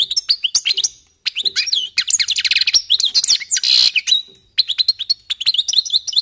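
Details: Several European goldfinches warming up their song: fast twittering phrases of high, bright chirps and buzzy trills, broken by a short pause near one second and a longer gap before the last burst.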